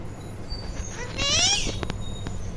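An Indian ringneck parakeet gives a brief, harsh, voice-like call that bends up and then down, over a low background rumble.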